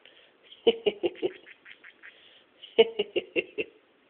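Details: A pet parrotlet imitates its owner's laugh in two bursts of four or five quick, hoarse 'heh heh heh' notes about two seconds apart, in a quiet room.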